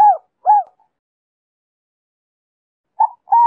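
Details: Spotted dove in the 'Giọng Kim 2 hậu' song style, a lure meant to pull in wild doves. Only brief fragments: two soft arched coos, a long pause, then two more short notes starting up.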